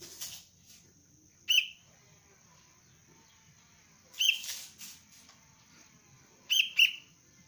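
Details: Sharp single and double chirps from a young sooty-headed bulbul being trained as a lure bird, interspersed with rustling bursts and a steady faint high-pitched whine.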